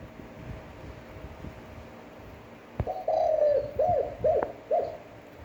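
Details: Spotted dove with a standard cooing voice for daily training of other doves: one drawn-out low coo followed by three short rounded coos, with a couple of faint clicks and quiet background.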